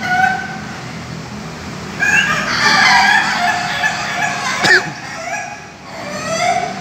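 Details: Caged Ayam Ketawa roosters at a PAKEB Bogor joint training session in Indonesia. A bright, harmonic crow rises in the middle of the clip over a noisy pen background, with a sharp click and a fainter second crow near the end.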